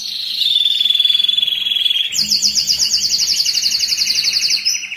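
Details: Excited canary singing, used to stimulate males and prepare females for breeding: a long high trill sliding gently downward, then an abrupt switch to a fast buzzy rolling trill with a higher overtone.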